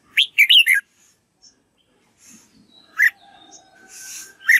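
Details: Red-whiskered bulbul singing so young white-cheeked birds will learn its voice: a lively three-part warbled phrase at the start, then single loud chirps separated by quieter hissy noise.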